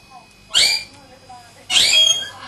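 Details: Pet parrots screeching twice, loud piercing shrieks high in pitch, the second longer and sliding slightly upward, separated by about a second of quiet with faint soft chatter.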